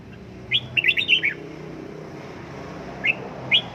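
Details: A red-whiskered bulbul, a pet from Gia Lai being trained at home to sing in a fired-up state, gives a quick burst of bright, liquid whistled notes, then two lone chirps a few seconds apart, over a faint steady hum.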